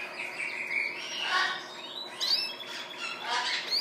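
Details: Caged Spanish Timbrado canaries in a bird shop on a December 31st afternoon, a young cinnamon male singing bright, high chirps and quick rising sweeps in short bursts about once a second, with other birds chattering behind.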